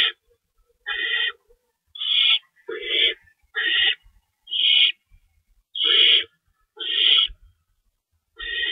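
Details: Owls at feeding time in a nest, 3:53 AM on 25 March 2012, with two stored rabbits: uneven series of harsh, breathy screeches, several carrying a lower raspy layer, spaced about a second apart with faint knocks.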